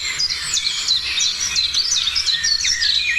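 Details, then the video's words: Dawn chorus of birds in the morning, with dense, rapid, high chirping and short whistled notes overlapping continuously. Quick repeated elements come about two or three per second, over a soft low background hum. "Morning sounds of birds"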